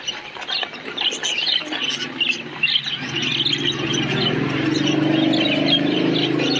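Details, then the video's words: Chirping from a parakeet colony, thick layered chatter of sharp high chirps, louder and steadier in the second half, set against a continuous low droning hum. "Kicau Suara Koloni Burung Parkit | Parakeet Colony Chirping Sounds"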